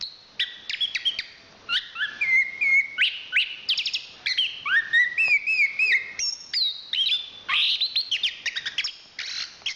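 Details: Chestnut-capped thrush (anis kembang), a national champion singer from Southeast Asian forests, pouring out a long varied song of quick chirps, downslurred whistles and rattling notes, about three per second, loud and continuous.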